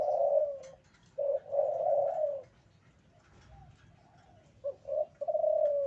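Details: Male spotted dove in breeding condition delivering drawn-out low coos, a long note, then a double note and long hoot, a pause, and a further stuttered phrase ending in a sustained coo.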